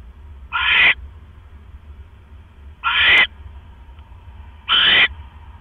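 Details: Owl pair, 18 October 2015 evening, the male bringing a rat that the female gulps whole before settling to sleep; three rough, hissing screeches about two seconds apart, with soft low background rumble.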